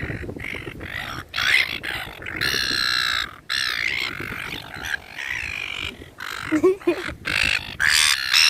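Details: Park seagulls at feeding time: loud, rough, mewing squawks in long overlapping runs, one bird after another, with brief pauses and a low murmur of people and traffic behind.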